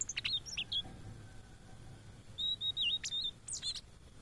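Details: Migrant blue-and-white flycatcher in Indonesia sings scattered high whistles, then after a quiet pause a level whistled note with a wavering dip, followed by a few sharp rising and falling notes.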